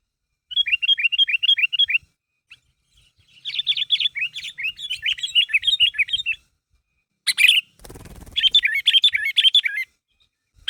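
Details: Sooty-headed bulbul (kutilang) in gacor form, calling so others respond: quick series of hooked, dropping chirps in groups, with gaps between runs and a brief clatter of noise midway.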